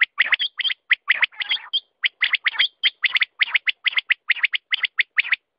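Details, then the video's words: Quail give a dense, steady series of short, bright chirps, roughly four per second, with no other sounds heard. "Batair ka awaz"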